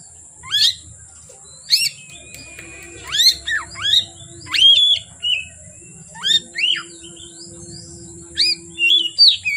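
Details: Oriental magpie-robin (kacer) singing from afternoon into darkness: spaced bursts of steep, rising whistles and short slurred notes, about a dozen phrases with short gaps, over a steady high hum.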